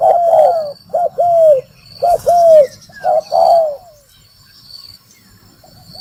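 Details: Spotted dove trapping-lure call, a few loud coo phrases of paired short notes and falling coos in the first four seconds, then quiet with faint high whistled calls.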